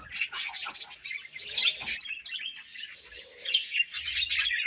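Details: Several budgerigars, fed and exchanging food, chirp rapidly in a bright, scratchy stream of short high notes, about four per second, with soft rustles and taps below.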